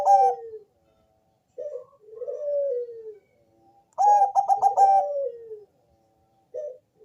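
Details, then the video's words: Deep-voiced Bangkok zebra dove cooing as a lure for other perkutut: falling mellow coos broken by a loud stuttering run of fast notes, then a long descending coo, repeated. "Perkutut bangkok rajanya bikin gacor suara tebal ngebass manggung merdu mengundang bunyi perkutut"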